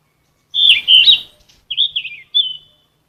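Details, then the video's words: Song of a Ficedula flycatcher, a bird of bushes and trees up to 900 m, used for training caged songbirds: a rich, high warble, then two short, bright whistled phrases, each sliding downward at its end. "Terapi Vokal..!BURUNG KICAU"SIKATAN EMAS"(KICAU MANIA)Full Gacor"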